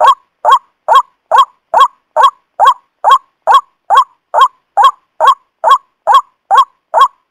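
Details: White-breasted waterhen lure call used for trapping, meant for morning and evening, said to draw males and females together: harsh honking notes repeated steadily about twice per second, each a short rising-falling burst, no other sounds.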